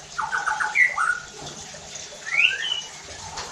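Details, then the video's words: White-rumped shama song used to provoke other shamas: a quick stuttered series of notes, then upward-swept whistles in two short phrases, fairly soft over steady background hiss. "PANCINGAN EFEKTIF JADIKAN MURAI BATU NEMBAK KASARR UNTUK MENINGKATKAN EMOSI DAN BONGKAR ISIAN"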